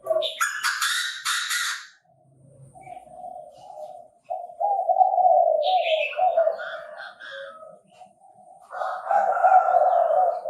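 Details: Chinese francolin crowing, Bình Thuận, Vietnam, in a trapping context. Harsh, noisy bursts open the clip, then lower stuttering notes stretch over several seconds, and another grating phrase ends it. Higher chirps are heard in between.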